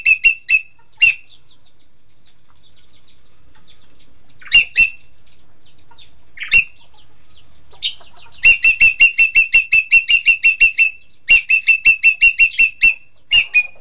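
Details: Green magpie (engkek keling) mixing scattered harsh, scratchy single notes and quieter pauses with two bursts of rapid, ringing repeated notes in the second half.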